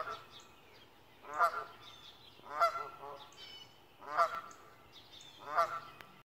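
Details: A Canada goose on a roof gives four loud, nasal honks about a second apart, separated by quieter pauses, with faint background noise.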